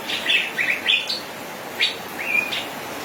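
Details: Male Asian fairy-bluebird singing actively in a rapid rolling style: a quick run of short bright chirps and upward-flicked whistles, then a pause and a few more notes, including one drawn-out level whistle.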